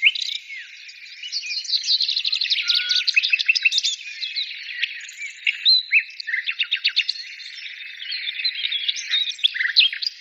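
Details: A dense mix of birdsong, with fast repeated chip-like notes in rattling runs, sweeping whistles and twittering from several birds at once.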